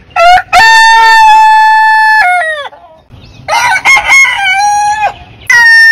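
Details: Roosters crowing, from a compilation of crowing roosters of more than 100 heritage chicken breeds; a long sustained harmonic crow held about two seconds, then a second crow with choppy opening notes and a drawn-out ending.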